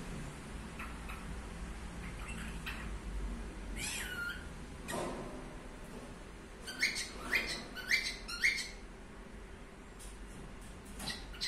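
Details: Pet cockatiel giving a drawn-out whistle that falls into a steady tone, then a quick run of four short rising whistled notes about half a second apart, over a low background hum.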